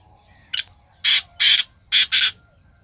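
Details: Black francolin in Sindh, Pakistan gives a loud, harsh grating phrase: one short note, then two rasping notes, a brief gap and two more, evenly spaced within about two seconds.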